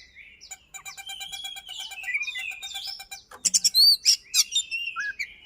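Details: White-rumped shama song to prompt a silent shama: soft rapid trilled roll at first, then loud sharp chips and rising whistles.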